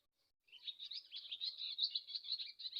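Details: After a brief silence, a swallow launches into loud, busy twittering: quick buzzy trills and squeaky whistled notes packed closely together.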